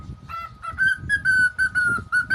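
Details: Pet cockatiel giving a run of short whistled notes, about seven or eight level, slightly harsh calls repeated roughly every quarter second, over low room noise and a constant electrical hum.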